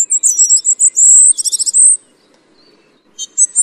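Tristram's bunting gives a thin, very high two-second phrase of quick notes ending in a brief trill, then a few short high notes after a pause.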